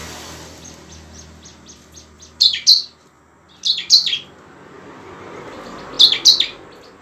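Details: Bar-winged prinia giving emotional ngebren and nembak song to trigger singing in lazy birds. Three bursts of doubled shrill chirps stand over a steady hiss, preceded by a quick series of faint ticking notes.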